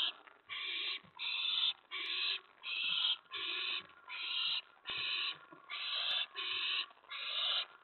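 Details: Owl at a nest at 4:46 AM on May 15, 2017, as a mouse is brought in: a steady series of about twelve raspy hissing bursts, each roughly half a second, repeated with short even gaps.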